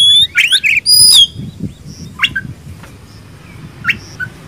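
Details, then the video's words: Kacer (Oriental magpie-robin), a kept songbird of poci or local type, gives a short burst of bright whistled and buzzy notes, then sparse faint chips over a low background hum. "Kacer gacor ngobra poci vs lokal lebih bagus yang mana?"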